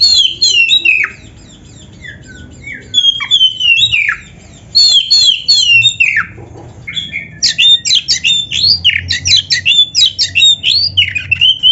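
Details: Oriental magpie-robin (kacer) in full, energetic song used as a master recording for training kept birds: varied whistles, sweeping slurs and rapid buzzy phrases, with short pauses between bursts.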